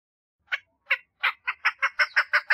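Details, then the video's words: A female chukar partridge gives its mating call. Slow, widely spaced clucks build into a quickening run of rasping chuk notes, about ten in all, with no other sounds. "Female Chukar Partridge call - صوت الحجل أنثي - صدای کبک ماده"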